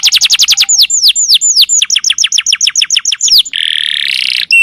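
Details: Long provoking 'nembak' song of a canary: quick high notes, then repeated downward-sweeping whistles at a steady pace, ending in a harsh buzzy burst.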